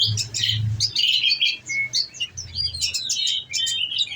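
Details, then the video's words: Nectar-fed caged olive-backed sunbird in full 'nembak' shooting song: a dense, rapid stream of high twittering chirps and squeaks with brief gaps, low mechanical hum beneath. "bunyi nembak nembak"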